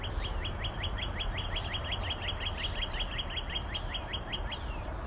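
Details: A Northern Cardinal sings a rapid, even series of clear, down-slurred whistled notes, about five per second, for the whole five seconds, over a steady low rumble of background noise.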